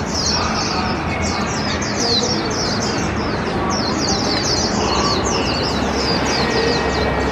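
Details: High-pitched, hurried warbling of a hand-raised warbling white-eye, 1 year 8 months old, on its first 2021 park walk; rippling downward notes repeat in long runs over the constant racket of a nearby open-air glove-puppet opera.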